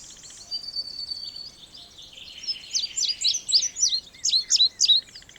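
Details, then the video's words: Indigo bunting giving a series of crisp, high, down-slurred notes in quick succession, several doubled, after a thin steady whistle; faint chirps from other birds in the background. "Canto do Bandeira Índigo ou Estamenha Índigo"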